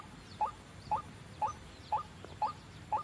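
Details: White-breasted waterhen lure sound for trapping: six short, upward-bending notes spaced about half a second apart, with faint higher streaks between.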